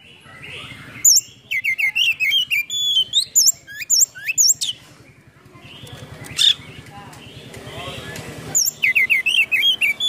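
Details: Kacer, the Oriental magpie-robin, in a full mimicry-laden display song used to rouse silent birds: high sharp whistles and fast chirps in bursts, a quieter low rumbling gap, then more clipped whistled notes.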